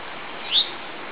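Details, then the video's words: A rock bunting at the edge of a riverside grove bordering wooded farmland gives a single thin, high, slightly rising 'tsii' lasting about a tenth of a second, over a steady background hiss; call. "Voces de Escribano Montesino"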